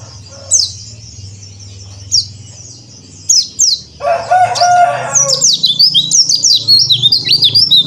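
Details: Pleci dakbal, a Bali yellow-breasted white-eye, in cor dor song, used to train untrained white-eyes: scattered sharp high chirps, a harsh broad burst midway, then fast tumbling whistled notes in a dense run.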